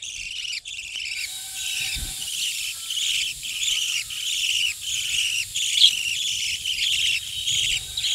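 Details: Budgerigars in a breeding colony keep up a bright, buzzy chatter that rises and dips in short waves, after a quieter first second.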